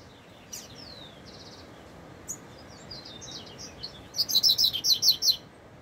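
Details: Double-collared seedeater singing in the wild: scattered high thin notes and slurs, then a fast run of about eight loud, sharp chirps repeated in quick succession near the end, over steady low background hiss.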